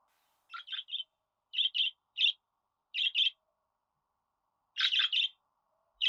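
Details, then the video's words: A budgerigar gives quick, bright chirps in pairs and triplets, with the groups separated by pauses of about a second. The background is otherwise quiet. "Muhabbet Kuşu Ötme Garantili Kuş Sesi,Muhabbet Kuşu Sesi"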